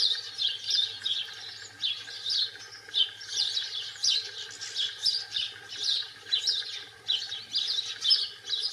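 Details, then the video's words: European goldfinch singing in the wild: a fast, high, twittering song of tinkling and buzzy notes in continuous runs, with a faint low hum and steady background tones. "الحسون الخلوي في البرية"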